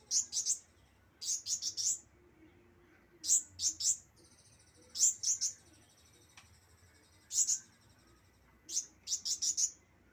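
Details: Juvenile Javan white-eye practising its song: bursts of two to four sharp, very high chirps repeated about every second or two, separated by quiet gaps, over a soft low hum.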